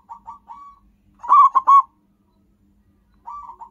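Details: Local zebra dove song for luring and bait: brief soft coos, a loud three-part stuttering phrase, silence, then a quieter rolling coo at the end.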